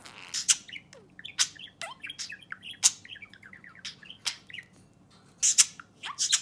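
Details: Pet budgerigar chattering at its owner's fingernail indoors: a busy run of short warbled chirps, buzzy clicks and sharp broadband ticks, with brief quiet gaps between bursts.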